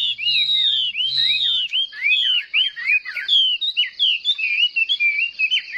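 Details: Chinese hwamei in competitive song, a caged bird delivering quick looping whistled notes and slurred phrases in a dense, varied stream; a low hum is heard only at the start.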